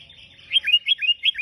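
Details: Sooty-headed bulbul (kutilang) singing gacor: a fast, rolling run of five or six bright, dropping whistled notes, each smoothly slurred into the next.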